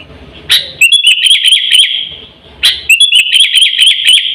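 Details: Sooty-headed bulbul lure call, used to attract birds and train pet birds: two bursts of bright, rapid chirps, each opening with a sharp note and then a quick run of clipped, ringing tweets.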